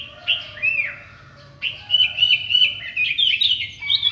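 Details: Sooty-headed bulbul singing in the morning: a lively run of clear whistled notes, some slurred downward, others held steady and bright, with quick chirps crowding the last two seconds.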